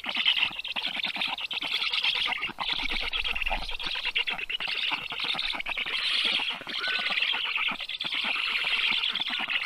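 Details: Black storks at their nest in southern Estonia's Karula National Park, 7:05 am, 30 June 2023, as fish arrive for the chicks; continuous scratchy, wheezing chatter, rapid and uneven, fills the nest-camera recording.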